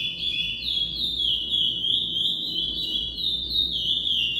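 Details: Chestnut-bellied seed finch (Sporophila angolensis) in classic-style song: a flowing, unbroken run of clear whistled notes that slide up and down, with a faint low hum beneath.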